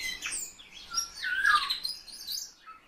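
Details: Kept Eurasian bullfinch: soft, low piping whistles, one sliding downward, mixed with brighter twittering chirps over three seconds.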